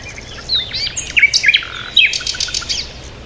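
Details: Brief peaceful bird chirping: a busy tangle of quick high twitters, slurred whistles and sharp chips from more than one bird, steady through the clip over faint hiss.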